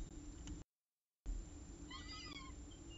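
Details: Peregrine falcon at the CSU Orange nest, 14 October 2019 around 6:54 pm, with the last prey of the day; a brief harmonic wailing note that rises then falls, followed by a fainter short note, with constant low background hum.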